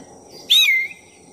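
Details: Single loud whistle from a black-breasted oriental magpie-robin, used to provoke another bird. The note rises briefly, then slurs steadily downward for about half a second.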